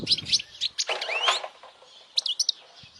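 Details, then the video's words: European goldfinch song played to attract females and to get young goldfinches singing and chirping. Loud high twittering notes and a rising slurred phrase, broken by bursts of broadband rustling noise, then a few quick sharp chirps near the end. "Jilguero cantando fuerte para memorización los jilgueros /Goldfinch singing the best chirping sounds"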